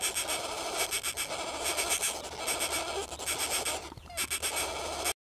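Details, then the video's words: Northern flicker chicks make a steady, buzzy, hissing chorus that swells and fades in rough pulses over a low hum, near Jackson Lake, Wyoming, 6 June 2015. "Northern Flicker Chicks"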